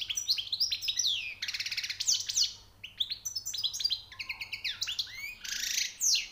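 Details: European goldfinch, newly caught, pouring out rapid twittering song with rattled trills, rising whistles and buzzy, wheezy notes over a soft background hiss.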